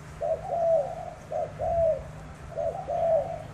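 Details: Spotted dove cooing during a contest in Tra Vinh, Vietnam, where a tame bird faces a wild-caught rival; low, throaty coo phrases, a short note followed by a longer drawn-out one, repeated in a steady rhythm.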